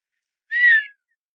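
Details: Male Redhead duck swimming with a female in Fort Erie, Ontario, Canada, giving a quiet whistling call to attract her attention: a single short whistled note, slightly rising then falling, with a soft buzzy overtone.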